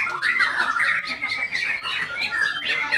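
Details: White-rumped shama pouring out quick whistled phrases with pulsing, repeated notes and short sliding whistles in an unbroken, lively warble.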